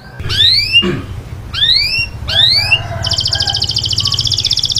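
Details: Grey canary indoors in a cage: three loud rising slurred whistles spaced about a second apart, followed by a rapid high buzzy trill, with a low hum throughout.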